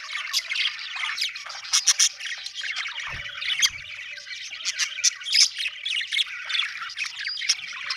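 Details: Budgerigars squawk and chirp in quick repeated bursts over a constant warbling background, with a low thud around three seconds.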